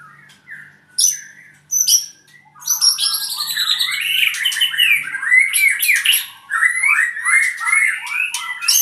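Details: Albino white-rumped shama, a Purwokerto bird, opens with a few isolated high chips, then launches into a dense, rapid stream of tumbling whistles, trills and clicks that lasts over six seconds.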